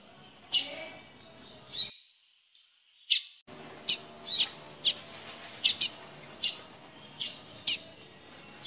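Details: Caged seedeater trembling with fear and trying to escape its cage gives sharp, high chips, about a dozen at uneven intervals with one brief gap, against a faint background hiss.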